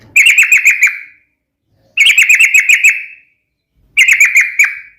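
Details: A yellow-vented bulbul sings a sharp fighting phrase intended to make other bulbuls respond. Three bursts of quick, ringing chirps, about six notes each, arrive roughly every two seconds with clean silence in between.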